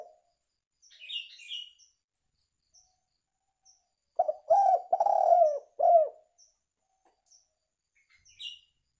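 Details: Spotted dove coo for luring birds: a single low phrase of short notes, a stretched middle coo and a drooping final note, surrounded by brief high chirps of other birds.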